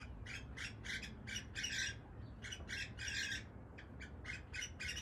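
Cockatiel squawking in quick bursts of harsh, scratchy, high-pitched calls, two or three each second, over a low steady rumble.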